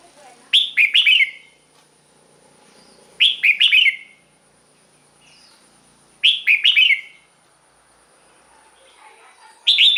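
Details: Red-whiskered bulbul song, played to excite birds or serve as a decoy: lively bubbling phrases of four or five quick whistled notes, repeated about every three seconds, with quiet low rustling between phrases and a constant faint high hiss.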